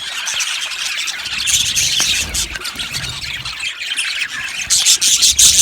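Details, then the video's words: Chattering budgie flock in an aviary, many birds at once, rapid scratchy chirps and squawks, the chorus swelling after one and a half seconds and bursting into loud shrill calls near the end. "Budgies chirping sounds"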